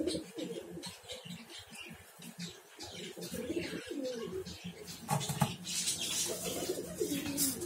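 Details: Home-bred gola pigeons kept at home, about forty birds; low soft cooing in repeated rolling phrases, alongside flutters, scratching and faint room noise.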